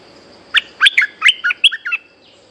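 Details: A resident bulbul reacts to a lure bird with a 'sap dok' phrase of about nine rapid, chattering, liquid notes jumping up and down, over a steady faint high hum.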